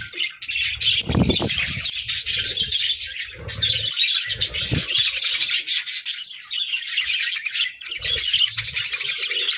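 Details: A lively group of pet budgerigars warbles and chirps nonstop, a steady bright chatter of quick high notes, with periodic low thuds and rustles.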